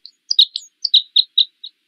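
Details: Red Crossbill singing while nesting: a quick run of bright, clipped, high-pitched chirps, about eight evenly spaced notes in under two seconds, with nothing else heard.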